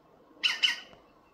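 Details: With a cat close by, a European green woodpecker calls: a pair of loud, grating squawks about a fifth of a second apart, followed by a faint low knock.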